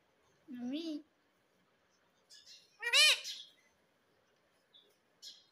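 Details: Pet ringneck parakeet being taught to speak: a lower harmonic word-like sound, a pause, then a louder arched, voice-like syllable and a few faint high squeaks.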